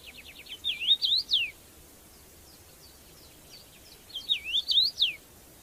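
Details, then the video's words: Red-headed bird singing in the wild: two bursts of high, quick, twisting whistled notes, a run of short rising chips ending in sharp downslurs, separated by a few seconds of quiet hiss. "Tiếng Hót Lạ Của Loại Chim Đầu Đỏ"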